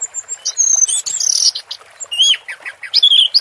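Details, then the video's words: Orange-headed thrush singing in the 'teler' style: high, clear whistled phrases mixed with short, rising and falling chirps, delivered in quick bursts. "Suara Burung Anis Merah Teler"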